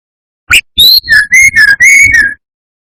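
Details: Rival-provoking lure phrase of a brown-chested jungle flycatcher: a sharp chip, a high rising whistle, then several even mid-pitched whistled notes ending on a falling tone.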